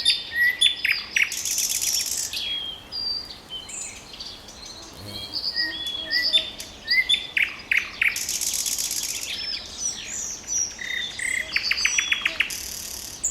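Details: Long nightingale trilling passage of varied phrases: buzzy rasping bursts, clear whistles and quick repeated notes, broken by brief pauses, with faint softer birds behind.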